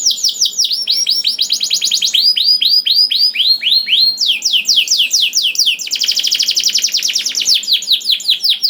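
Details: Canary singing to prompt other canaries to sing: continuous sequence of curved whistled syllables changing tempo from fast to slow, with a dense rapid trill near the middle and rising slurs.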